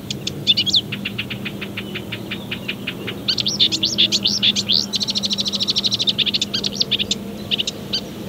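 Marsh Warbler song: a fast, varied run of high chirps, buzzy phrases and rapid repeated-note trills, with a low steady hum beneath.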